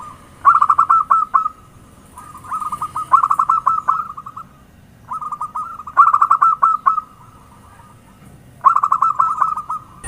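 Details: Zebra dove lure song: four repeated phrases, each a soft lead-in followed by a quick stuttering run of bright coo notes, spaced roughly every two to three seconds with quiet gaps between.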